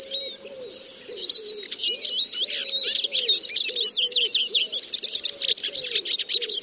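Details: Eurasian siskin song: a dense, fast twittering of high chirps and trills with thin drawn-out whistled notes running through, continuous throughout, over a softer series of low arched notes repeating about every half second.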